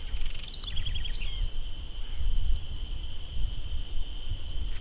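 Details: A House Wren (Troglodytes aedon) gives one quick, bubbly, chattering song phrase of falling notes lasting about a second, on a cerrado trail in Barba Azul Nature Reserve, Bolivia, late April at the end of the rainy season, over steady high insect trilling and low wind rumble.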